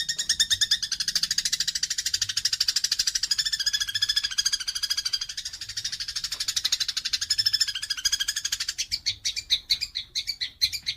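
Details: Fighting house sparrows, recorded to train songbirds: long, rapid, buzzy chattering that shifts near the end into separate, louder, harsh chirps.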